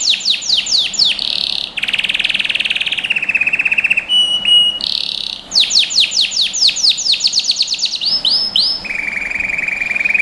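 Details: Canary song for training young birds, varied and continuous: descending sweeps, dense buzzy rolls, a brief pure whistle, a long run of fast falling notes, arched notes, and a closing low trill.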